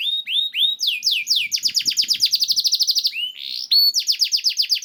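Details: Canary song aimed at getting canaries to sing: a few rising whistled notes, then a long, very rapid roll of repeated notes, ending with higher sweeping phrases.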